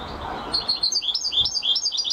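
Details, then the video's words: Short snatch of European goldfinch champion singing, with quick, high, tinkling chirps and slurred notes run together over soft background hiss. "Carduelis(Goldfinch) Champion amazing singing !"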